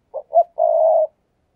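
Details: Decoy spotted dove on a perch giving the fast 'thúc gù' cooing used to lure doves: two short low coos, then one long, steady, slightly wavering coo, all in a clean recording.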